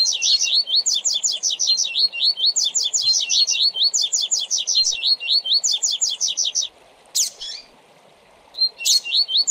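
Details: Fast tui-tui zel-zel seedeater song used to train tournament coleiros and papa-capim: high, sweet phrases of quickly repeated slurred notes in rapid bursts, with a short pause before a final phrase.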